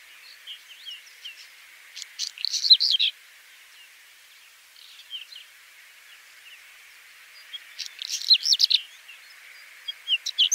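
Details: Whinchat singing two main bursts of fast, scratchy, clicking and twittering notes several seconds apart, with softer scattered chirps and a final short burst, over faint steady hiss.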